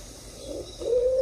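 A pigeon gives a low, soft coo: a brief murmur, then a longer, steady hooting note, over a faint background hiss.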